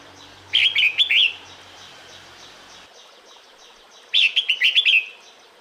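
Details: Red-whiskered bulbul female calling to the male during breeding season: two chattering phrases of quick whistled notes about three and a half seconds apart, a low hum at the start, over steady hiss.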